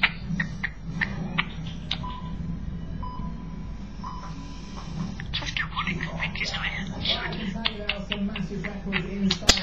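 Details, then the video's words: Pet budgerigar indoors chatting at the camera and close to the mic, with quick clicks, chirps and short squeaks and a brief steady whistle over a low indoor hum. "the Budgie Having A chat"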